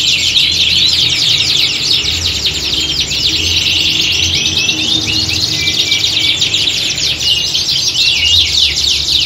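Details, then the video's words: Group of canaries singing as in a competition venue, used to train birds to be fighters; overlapping fast trills, rolling twitters and short whistled notes fill the whole stretch, with a soft low hum. "Kicauan Squad Kenari Siap Gantang!"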